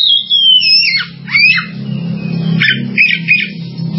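An Oriental magpie-robin sings a quick run of bright, sweeping whistles, sliding down and then up, with short trilled notes, over a steady low hum.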